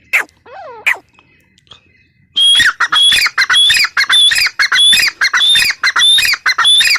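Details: Female grey francolin: a couple of descending, wavering notes open, then a loud chain of harsh, grating phrases repeats rapidly and regularly to the end.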